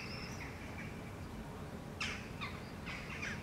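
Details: A Eurasian jackdaw foraging on rocky ground in Helsinki, Finland, in July 2014 gives four short, sharp, slightly harsh calls in quick succession over a low steady rumble, with faint thin notes before them.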